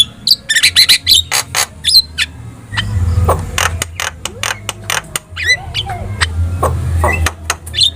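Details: Javan myna in full, lively song used as a tutor track to prompt other birds to respond: dense bursts of sharp chirps and short whistles, some sliding, over a steady low hum.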